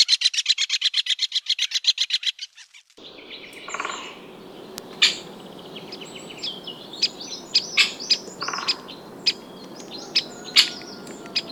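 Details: Great Spotted Woodpecker drumming: a fast, even roll of sharp taps lasting about two seconds and fading at the end, followed by quiet forest ambience with scattered chirps of other small birds.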